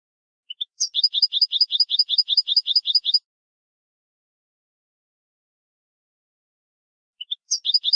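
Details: European goldfinch 'bitbita' song, used to stimulate goldfinches to sing: two rising lead-in notes, then a fast, even trill of bright double notes lasting about two seconds, a long silence, then the phrase starts again.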